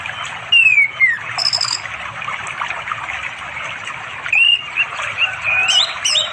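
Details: Orange-headed thrush singing to call a female for mating, afternoon, beside a river in remote East Java forest, Android recording: two bursts of clear, sliding whistled phrases separated by a pause, over steady stream noise and high calls of other birds.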